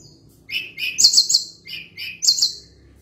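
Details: Sunda blue robin song built from short repeated chirped phrases: paired mid-high notes followed by bursts of very high, rapid twittering, the pattern repeated twice.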